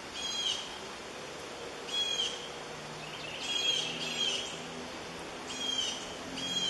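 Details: Two red-shouldered hawk chicks in the nest beg with thin, high, squealing peeps in short bursts every second or two as a parent brings food, possibly a black vulture chick, over a steady background hiss.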